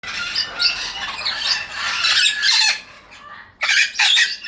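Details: Young Amazon parrots giving harsh, raspy squawks in dense overlapping bursts, with a brief lull before a final loud cluster of calls.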